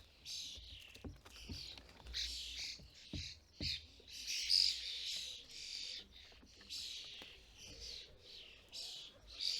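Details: European starlings at a custom-built feeder in the UK during fledgling season, parents collecting food and feeding fledglings; harsh, hissing high-pitched calls come in overlapping bursts about every second, with faint low thumps and rustling.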